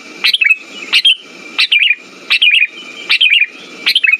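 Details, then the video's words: Sooty-headed bulbul song played as a lure to stir silent birds into singing: short bubbly whistled phrases of three or four quick notes, repeated about every 0.7 seconds, over a steady high thin tone and a low buzzy hiss. "Pancingan burung kutilang macet"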